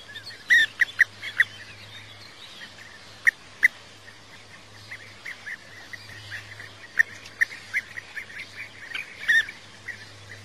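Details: European bee-eater giving rolling, burry notes in quick bursts and scattered singles, with a steady low hum throughout.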